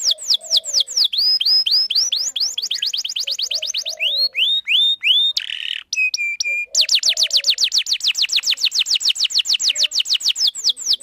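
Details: Canary song meant to lure males and teach young birds: rapid rolling trills of sweeping notes, a few slurred upward whistles, a short buzzy burst and steady high tones, then another long fast trill.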